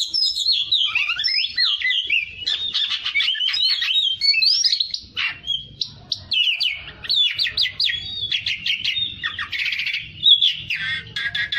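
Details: Kacer, the Oriental magpie-robin, gives fighter-style tutor song: a long, varied sequence of loud slurred whistles, sharp trills and quick clicking rattles, delivered in bursts with brief pauses.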